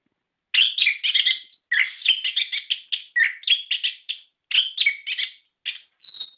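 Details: Orange-headed thrush song played as a lure to set captive birds singing: dense bursts of rich, scratchy warbled phrases in short runs separated by brief pauses, with no other sounds.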